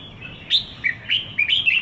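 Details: Red-whiskered bulbul, caged, one week in Singapore, giving a quick run of four or five sharp, chirpy whistles, each dipping in pitch, over a faint hum.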